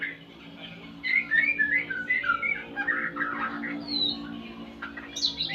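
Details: A white-rumped shama learning sounds with tutoring recordings, uttering a burst of loud warbled whistles after a quiet start, then scattered high notes, against a constant low droning hum.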